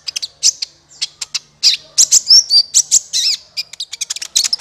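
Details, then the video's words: Sunbird calls used as a trapping lure: fast, shrill chattering tweets, including a few louder warbled notes, in dense uneven runs. "SUARA PIKAT BURUNG KOLIBRI NINJA"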